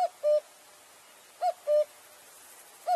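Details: Cuckoo song: a bright higher note sliding down to a steady lower note, the phrase heard twice about 1.4 seconds apart, a third beginning as it ends.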